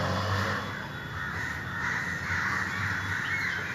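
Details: Communal crows caw to summon others, producing a continuous wash of coarse, overlapping caws that fade briefly mid-way then return, with a low rumbling background.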